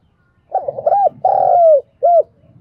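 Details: A spotted dove coos as a morning decoy, one full phrase: rolling opening notes, a long sustained coo that slides down at its end, and a short clipped final coo, over faint low background rumble.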